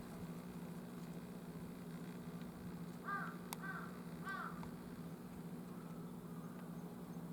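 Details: Jungle crow (wild carrion crow) crowing on 18 October at 11:50, three short hoarse caws in quick succession about half a second apart, faint against a steady low droning hum.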